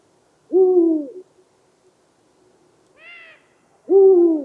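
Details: Eurasian eagle-owl giving deep, booming hoots that carry long distances across its territory: two loud, low, slightly falling hoots, with a soft, higher nasal note between them.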